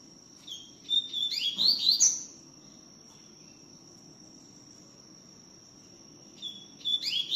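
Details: Tui tiu song of a double-collared seedeater, which sings a lot: two bursts of quick rising whistled slurs, one early and one at the end, separated by quiet, with a constant high hum behind.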